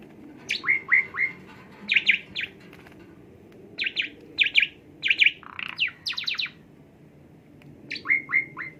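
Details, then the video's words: Asian pied starling lure song for stimulating another bird: groups of three sharp downslurred whistles, then short chattering clusters, separated by brief pauses over a faint hum. "bongkar isian jalak suren dan pancingan"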